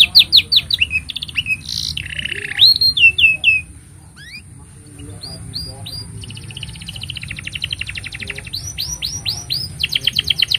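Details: Canary singing a long master song for young canaries: quick whistled slurs, a harsh buzz, a quieter gap of soft rattling, then a rapid buzzy trill and bright repeated upswept notes; steady faint high hum.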